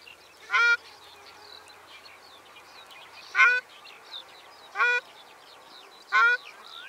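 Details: Four brief, harsh nasal honks from a ruddy shelduck, spaced one to one and a half seconds apart, with soft chirps and whistles of other birds in the background.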